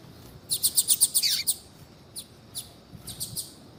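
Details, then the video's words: Female Double-collared seedeater calling to warm up a male into singing: a fast burst of high chirps, the last note sliding down, followed by scattered single high ticks. "FÊMEA DE COLEIRO CHAMANDO PARA ESQUENTAR COLEIRO TUI TUI"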